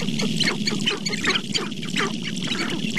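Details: Sharp-tailed grouse at Namekagon Barrens in northern Wisconsin, several birds calling together: dense, overlapping bursts of clucking and cackling notes, with harsh squawks and a steady hum of lower cooing beneath.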